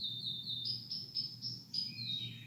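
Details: Male canary singing, one of two males kept together: sustained high whistled notes held steady, then a sliding, falling whistle, over a constant low electrical hum.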